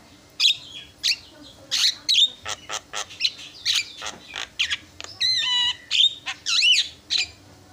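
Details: A Javan myna, in a fast lure recording that a rival myna answers, delivers a busy run of harsh squawks, clipped chatters and bright whistles, about two notes a second, with one ringing whistled phrase near the end.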